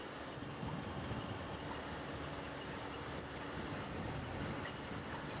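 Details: Continuous vehicle engine rumble and road noise during an evening safari drive, with no animal sounds heard.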